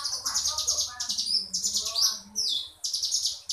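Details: Crescent-chested warbler known locally as ciblek gunung, in ngebren song: short rapid buzzy high trills, some sliding downward, repeated every half second or so with tiny gaps.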